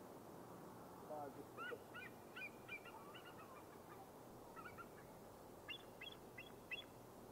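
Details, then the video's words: Bald Eagle giving bursts of thin, high piping chirps in quick stuttering series, over a steady rushing background of wind or water. "Bald Eagle"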